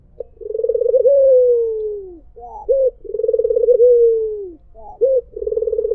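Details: White Barbary dove giving its melodious call, described as "mpuk jeruuu": a short clipped note, then a long, low, rolling coo that slowly falls in pitch. The phrase repeats about every two and a half seconds in a quiet setting.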